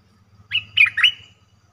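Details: Short cream-vented bulbul call used as a trapping lure, 2 November 2021: three quick slurred, bubbling notes over a faint low hum.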